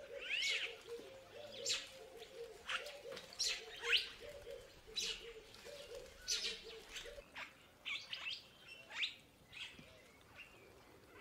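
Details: Purple starling giving repeated grating, squeaky bursts about once a second, layered over a continuous series of low cooing notes that fades midway.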